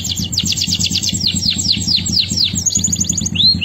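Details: Male canary gives rapid repeated downslurred whistles and sweeping notes, a brief high trill and a closing arched whistle, over a pulsing low background drone.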